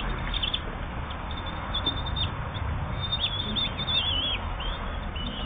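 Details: Common kestrel chicks aged 8-10 days give thin, high squeaky chirps in quick irregular bursts while being fed, over a steady low rumble of background noise.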